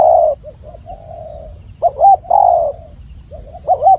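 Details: Spotted dove cooing, a long steady coo, then a soft pause, then wavering double notes and another long coo, ending on rising-falling notes; low hum in the background.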